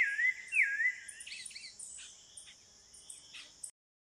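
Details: Spectacled thrush singing in the wild at Serra do Navio, Amapá, in the Brazilian Amazon rainforest: a few clear, rich whistled phrases slurring up and down, then softer notes, over a steady high insect drone.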